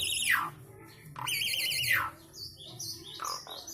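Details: Javan pied starling song with 'isian sekebon kacang' content: bright, wavering whistled phrases that swoop down sharply, followed by short high chirps and thin whistles, with a low background hum.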